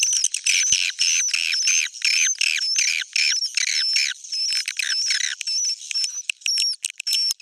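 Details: Old-style "jadul" swiftlet sound: dense, rasping chirps in quick bursts, roughly two a second, with a faint high steady whistle running above and a few clicks near the start.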